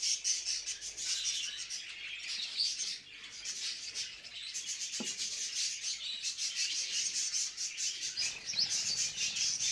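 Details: Budgerigars' mating chatter, a raspy, scratchy warble with rapid clicking notes, briefly dropping in loudness midway.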